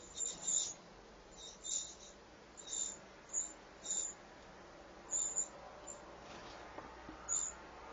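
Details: Eurasian wren chicks in a nest at the entrance of a falconry moulting mews, awaiting their mother's feeding visits; thin, very high chips repeat irregularly, roughly every half second to second, over a quiet background.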